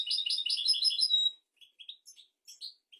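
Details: Goldfinch royal song, played as a tutor for goldfinches and canaries: a fast, tinkling trilled phrase ending in a drawn whistle, followed by sparse, sharp, high chips spaced through the rest.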